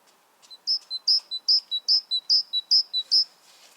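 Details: Great tit singing a clear, high two-note phrase, a sharper upper note then a lower one, repeated about seven times at a steady, quick pace, with no other sounds.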